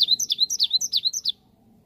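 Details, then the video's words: Lure song of the Cinereous tit, played so that other birds answer straight away. A fast sequence of about eleven piercing, high, down-slurred whistled notes runs for just over a second and then breaks off. "Gelatik batu langsung nyaut dengar ini"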